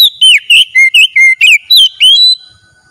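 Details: Oriental magpie-robin singing at full strength during a daily therapy session: a loud run of about eight clear whistled notes, some rising and some dipping, in quick succession, then brief silence.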